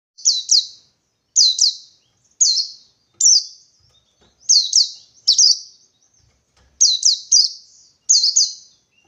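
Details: Wild white-eye, a forest bird said to be seeking a rival, in Indonesia: bright high chirped notes in pairs and triplets, each sweeping down, in bursts about every second, with clean silence between.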